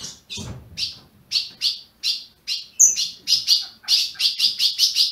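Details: Ultramarine grosbeak bred in captivity in Brazil: spaced sharp chirps that speed up into a quick chirping series toward the end, with one high whistled note; faint low rumble at the start.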